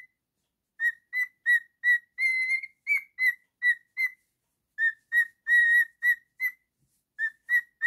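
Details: Male pet cockatiel whistling a song: a steady series of short, clear whistled notes at an even pitch, about three per second, with a few longer held tones and a brief pause midway.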